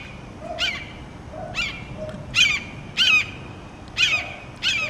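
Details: Red-shouldered hawk, after eating a snake and before another hawk joins it, gives loud, high, slurred kee-ah calls that drop in pitch, about six in quick succession with a soft lower note between some.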